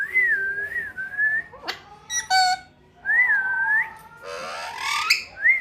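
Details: Pet parrot, called mitthu, whistling in clear wavering tones that rise and fall, broken by harsh raspy squawks and bursts of noisy chatter.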